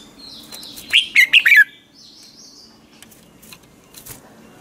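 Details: Red-whiskered bulbul giving a morning voice-training phrase used to stimulate other bulbuls: one loud run of four quick, sweet whistled notes, followed by faint chirps and soft rustling.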